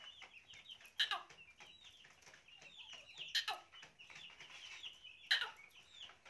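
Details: Black francolin in Pakistan gives three loud, harsh, grating bursts about two seconds apart over a steady background of thin chirps and twitters from smaller birds.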